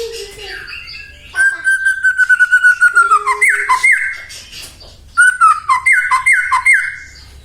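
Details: White-rumped shama singing to provoke rival shamas: a long sustained whistle, then repeated sharp down-slurred notes, a pause, and another burst of rhythmic falling whistles.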